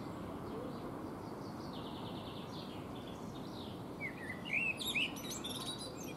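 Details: Eurasian blackbird singing while preening on a fruit tree: a brief burst of mellow warbled notes late in the clip, ending in thin high twittering, over a steady rushing background noise.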